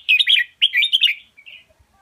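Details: Red-whiskered bulbul, Indo double-style teaching song for young birds: two quick, bright, bubbling warbled phrases followed by a short faint trailing note.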